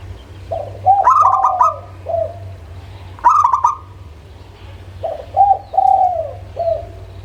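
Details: Local zebra dove song repeated: bursts of rapid staccato notes mixed with short coos, a second stuttering burst, then a cooing sequence of short and long falling notes. Steady low hum.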